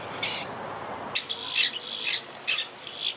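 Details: Wild Monk (Quaker) parakeets from a yacht club colony living high in trees, regrouping after hurricane Irma in 2017; harsh, raspy squawks in uneven bursts, several overlapping, with quieter background between calls.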